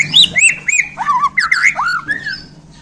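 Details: Borneo white-rumped shama, just picked up, sings spicy 'isian' notes: a few high whistles, then a series of looping, warbled slurs fading at the end, over a low steady hum.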